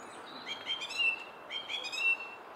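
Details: Song thrush singing by a Henry Moore sculpture: a rich, harmonic whistled phrase delivered once and then repeated almost identically about a second later, over faint background hiss.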